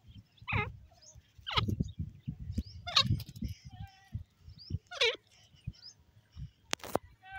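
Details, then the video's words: Teetar (grey francolin) voice: a run of bright, falling calls, several overlapping in quick succession, backed by low rumbling background noise and a brief click near the end. "grey francolin bird voice, teetar ki awaaz"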